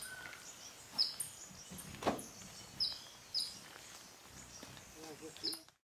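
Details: Golden-bellied Flycatcher (Myiodynastes hemichrysus minor) in Bellavista Cloud Forest Reserve, Ecuador, May 2012, gives short, sharp, high squeaky notes about a second apart, over faint hiss and a brief low murmur.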